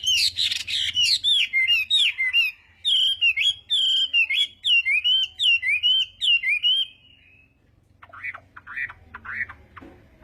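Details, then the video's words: Chinese hwamei singing in the morning to train its voice for song contests: a long series of loud, clear, looping whistled notes, each quickly repeated, then a pause and a few softer phrases. "Hoạ Mi Hót Đấu /hoạ mi hót sáng luyện giọng"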